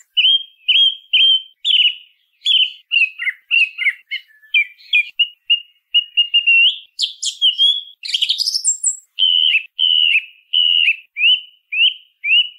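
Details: Singing song thrush, a species heard in cities and rural areas almost year-round: sharp clear notes repeated in short runs, mixed with twittering and high squeaky bursts, then further repeated notes. No other sounds.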